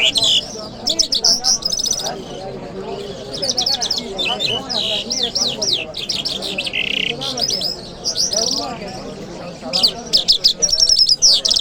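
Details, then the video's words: A lark sings on a Friday morning in Kabul city, mixing fast rattling trills with quick swooping whistled notes in a long, varied, nearly unbroken stream, with soft voices behind. "Jal Birds Sounds | Lark Singing | جل مشهدي"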